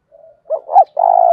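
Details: Spotted dove giving a 'thúc' style coo: faint low hum, then a short rising hoot and a longer, steady, slightly pulsing note, cut off at the end.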